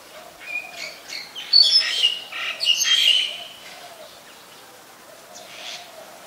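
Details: Black-collared starling in Ubon Ratchathani, Thailand, on 25 December 2019: a burst of harsh, chattering squawks and squeaky whistles over two seconds, then quieter, with a soft low hum beneath.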